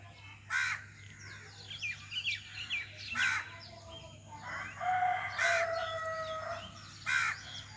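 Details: Common myna, an Indian bird, calling: harsh, loud croaking bursts about every two seconds, interspersed with softer gurgling whistles and a drawn-out wavering tone, over a faint steady hum.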